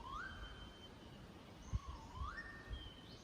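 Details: A Magnificent Riflebird in a rainforest park on Australia's Cape York Peninsula gives two loud, rising whistles about two seconds apart, each sweeping upward then holding steady, over low forest rumble.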